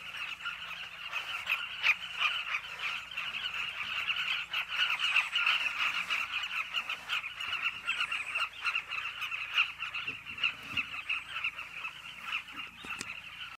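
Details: Southern carmine bee-eater colony in Zambia, birds back at holes burrowed into a Zambezi River bank; a long, continuous chorus of dense chirping, pulsing in loudness, with a few faint knocks beneath.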